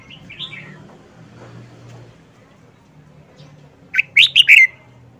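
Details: Red-whiskered Bulbul, a caged wild-caught adult kept four months, first gives soft distant whistled notes, then after a pause a loud, quick four-note whistled phrase ending in a downward slur, over faint background hum.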